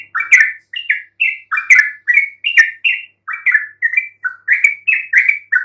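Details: Yellow-vented bulbul song played to provoke even silent bulbuls into answering: a rapid chattering run of short, slurred, bubbly notes, each a quick rising or falling twist, following one another about every half second without pause.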